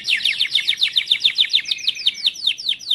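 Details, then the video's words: Timbrado canary training song, a steady series of repeated down-slurred chirps about four per second, with a faint sustained whistle running beneath the middle notes. "TIMBRADO CANARIES - CANARY SINGING MOST SPECTACULAR VIDEO TRAINING SONG"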